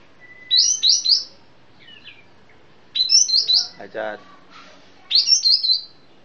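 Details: Sooty-headed bulbul of Sumatra, 'piai' song: three bright phrases of three or four rapid, descending, slurred notes about two seconds apart, with a brief harsh rasp in between.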